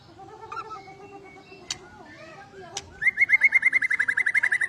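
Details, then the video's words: White-rumped shama, an agitated fighter used to provoke rival birds, starting with softer warbling and clicks, then a rapid steady rattle of about a dozen buzzy notes. "PANCINGAN BURUNG MURAI BATU EMOSI DAN FAIGTHER"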